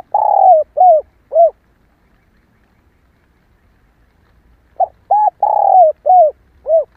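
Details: Calling female spotted dove, used to provoke males: two bursts of mellow coos, each opening with a long falling note followed by shorter repeated coos, separated by about three seconds of silence.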